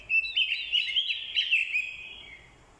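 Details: Captive decoy orange-headed thrush in fighting song, stirred up by a female's call: a dense, rapid run of clear whistled notes and warbles pouring out for two seconds before trailing away.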